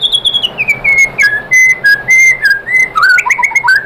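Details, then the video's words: White-rumped shama singing to provoke other shamas into responding: a sequence of clear whistled notes stepping down in pitch, then rising and falling phrases with quick chirps near the end. "bikin MURAI BATU jadi NYAUT GACOR BONGKAR MATERI ¦ PANCINGAN MURAI ¦ SHAMA BIRD"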